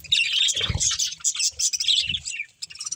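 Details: High, fast chirping from a breeding pair of budgerigars, bright squeaky notes layered over soft low knocks, fading to a brief near silence at the end.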